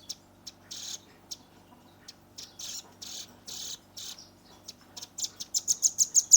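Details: Young red-billed nuthatch giving a rapid 'tembakan' burst, recorded on a Redmi 10 phone: sharp high chips and short buzzy blocks, then a fast, accelerating run of bright ticking notes near the end.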